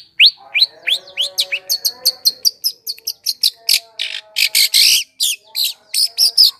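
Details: Long-tailed shrike lure song for drawing in wild birds. It begins with downslurred whistles and moves into fast high chattering ticks, then loud harsh buzzy bursts near the end. A soft hum runs below.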